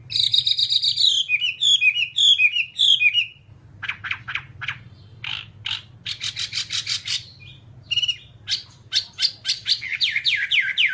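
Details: Hwamei training song: fluty whistled notes repeated in quick groups, followed by a long run of harsh, scratchy bursts and sharp chips with short gaps between them.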